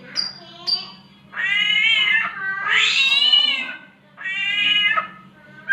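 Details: A samyong mimics a mating cat's call, giving two short high chirps and then three long, harsh, meowing wails that rise and fall, each lasting over a second.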